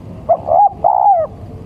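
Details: Male spotted dove lure call, a compressed phrase of a short coo running into two longer mellow coos, the last sliding downward, with low background rumble.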